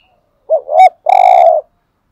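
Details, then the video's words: A single spotted dove phrase in the 'hạp bổi' singing style, used to stir caged birds: two quick hooked coos followed by one sustained, vibrating, even-pitched coo. "Tiếng Cu Gáy Giọng Hạp BổI ĐỦ BÀI { GÁY GỌI,THÚC,GÙ } Kích Bổi Nhanh Nổi"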